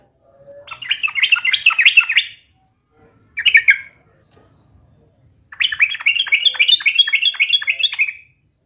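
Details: Yellow-vented bulbul challenging a rival: a two-second burst of rapid, bubbly warbling, a short sharp phrase, then a longer, even series of quick, rolling, repeated notes.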